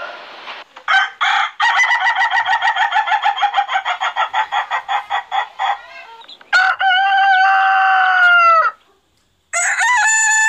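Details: Rooster giving a fast series of loud, even clucking pulses, then a long harsh crow that ends abruptly, followed after a brief silence by another crow starting.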